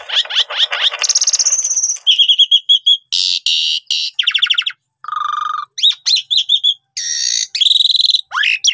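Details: Asian pied starling song played to prompt other birds to sing: fast chattering sweeps, harsh grating bursts, a low nasal buzz and slurred whistles in a busy, varied medley.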